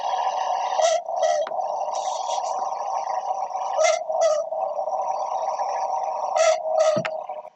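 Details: A Southern Boobook, a common owl of dense cover often heard at night near houses, gives paired 'boo-book' hoots: three doubled notes about three seconds apart, over a steady low hum.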